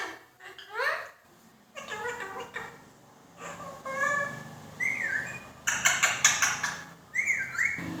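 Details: Talking Indian ringneck parakeet, said to speak words such as Allah ho and mithu mithu mein tota. Quick rising whistled notes mixed with voice-like harmonic syllables and bright chattering bursts, with short pauses between phrases, indoors.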